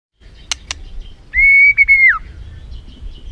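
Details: White-rumped shama lure recording meant to excite a reluctant bird into full song: two sharp clicks, then one loud, steady whistled note held for about a second before dropping away, over low background rumble.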